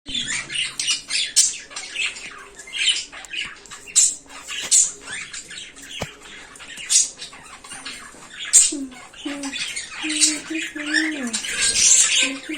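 A cockatiel gives harsh, scratchy squawks and chirps in quick irregular bursts.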